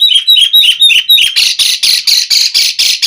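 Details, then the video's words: Asian pied starling (jalak suren) pumping out gacor song. About five quick whistled chirps in a row, then a steady series of loud harsh rasping notes, roughly four per second. "Pancingan JALAK SUREN GACOR FULL ISIAN Mompa"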